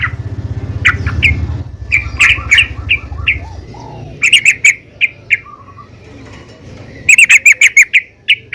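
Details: Female yellow-vented bulbul calling the male, used as a lure to make bulbuls sing: scattered chirps over low fluttering rumble at first, then clearer spaced chirps and a fast closing burst of bright repeated notes.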